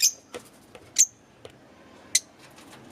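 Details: Green Fischer's lovebirds giving a few sharp, very high chirps at uneven gaps, some ending in a brief thin whistled tail, with quiet pauses between.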